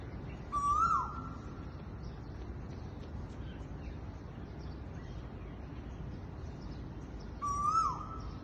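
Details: A koel on Mount Sophia Road gives two loud, rising whistled calls about seven seconds apart, each ending in a quick drop, over a steady low background hum.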